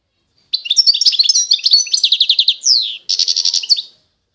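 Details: European goldfinch of the authentic Constantine type from eastern Algeria, singing a bright, high twittering run of liquid notes and rapid trills, a downward-sweeping slur near the end, then a brief pause before a last buzzy trill.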